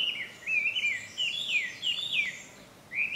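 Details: Chinese hwamei singing at Ikimono Fureai no Sato, recorded 5 June 2020: loud, clear whistled phrases with rising and falling slurs, delivered in bursts separated by brief pauses, with a final upward-swept phrase.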